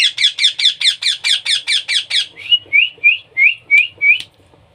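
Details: Baby parrot being hand-fed: about eleven loud, harsh, rhythmic begging squawks, then a string of short upward-sliding whistled notes.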